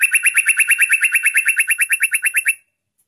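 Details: Lure song of a yellow-vented bulbul meant to draw in wild birds: a loud, rapid string of bright chirps, evenly spaced at about seven a second, lasting two and a half seconds, then stopping.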